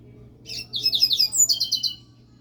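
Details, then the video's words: Caged Double-collared Seedeater singing a rapid run of high, sweet chirped notes. The notes come in tight clusters, then sharpen into a brisk repeated trill near the end of the phrase. Faint low hum underneath. "Coleiro Furacão USA soltando canto"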